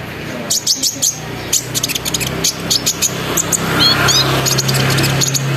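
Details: Sunbird singing in a lure recording meant to prompt other sunbirds to sing, in the lively chattering, rolling 'ngeriwik ngerol nembak' style: rapid high sharp chips and trills in bursts, over a steady low hum.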